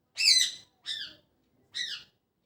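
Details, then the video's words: Morning chirping of a parrot, three bright harmonic calls with a slight downward bend, the first loudest, about half a second apart. "Parrot Chirping At Morning | Parrot Sound"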